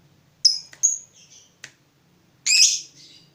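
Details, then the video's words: Lovebird of fighter type, stirred up by a rival: a few sharp high chirps and a short whistled note, then a louder harsh squawk-like burst with a trailing tail. "Terpancing Emosi Begitu Lihat Lawan, Lovebird Fighter ini Langsung Narung"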